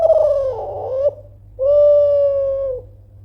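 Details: Spotted dove from Kelantan giving a loud call meant to provoke rivals into answering: a wavering cooing note, a short pause, then a long steady level coo, in a quiet setting.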